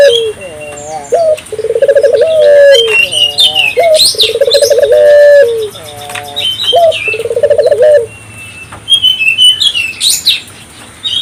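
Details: A vigorously calling African collared dove, meant to prompt local doves to join in, repeats its phrase several times: a brief upslurred note, a fast bubbling trill, then a drawn-out descending coo, with thin chirps of other birds above.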